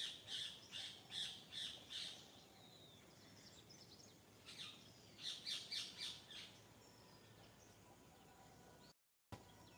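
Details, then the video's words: Morning birdsong: two bursts of quick, high chirped notes, each run of about five or six notes, separated by a quieter stretch with faint distant calls and a short gap of silence near the end. "Morning Nature Sounds - Bird Sounds"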